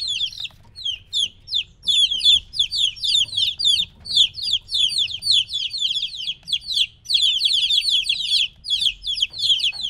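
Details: Young chickens around three weeks old separated from the mother, crying in clustered bursts of sharp downward-sliding peeps, pausing briefly between volleys, low background hum.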